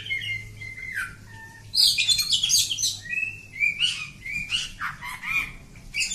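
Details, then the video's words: Continuous kacer kampung song: steady whistled notes lead into a loud burst of scratchy, buzzy phrases and varied whistles, over a low steady hum. "Kacer Kampung. Super Ngacor panjang"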